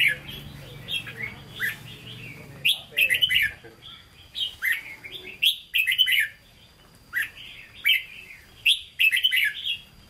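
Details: Red-whiskered bulbul kept in captivity, Hue-style song: repeated short warbled phrases of liquid whistled notes, several per few seconds, over a low hum in the opening seconds and a faint steady high whine throughout.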